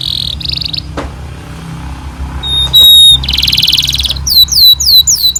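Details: Canary song recorded as tutor material for young canaries: short buzzy trills and a thin whistle, then a loud fast buzzy roll, followed by a series of high falling slurred notes, over a faint low hum.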